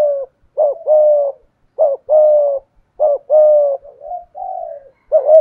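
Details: Decoy spotted dove cooing in the 'thổ' voice style: deep, smooth phrases of a short opening note and a long even coo, repeated about once a second, ending with quieter wavering notes.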